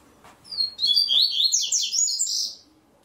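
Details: Double-collared seedeater from Ribeirão Preto, São Paulo, Brazil, entered in the third stage of an online singing tournament, delivers one fast, high twittering phrase of rapid slurred notes lasting about two seconds, in a quiet indoor setting.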